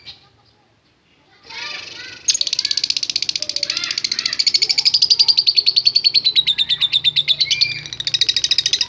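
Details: Lovebird 'ngekek panjang' chatter used to provoke other lovebirds: after a quiet start and some rustling, a long unbroken run of rapid, shrill, buzzy pulses, steady and high, with faint low background sounds.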